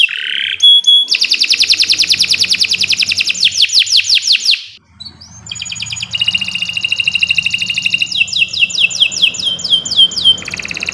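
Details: Canary of the Kenari Nusantara type, a continuous training song for tutoring birds that have stopped singing: long fast trills of repeated downsweeping notes, broken by short whistled tones and a brief pause midway.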